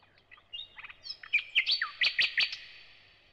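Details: Brief thrush nightingale phrase: soft whistles and clicks building to several loud, evenly spaced clicking notes, then trailing off.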